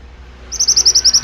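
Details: Pied bushchat in vigorous song for tutoring birds: a loud, brisk string of high, clipped notes repeated about nine times a second.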